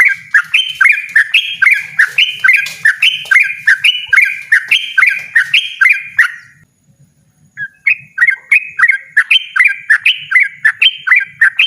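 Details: Yellow-vented bulbul singing the persistent 'ropel ngotot' way: a fast series of ringing slurred notes, a brief silence near the middle, then the same rapid notes resume; faint low rumble beneath.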